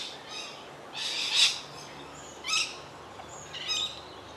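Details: Chestnut-breasted mannikins feeding on split grain with peaceful doves at Gordonvale near Cairns, North Queensland, in October; high, thin chirping calls in three short bursts about a second apart, over a quiet background.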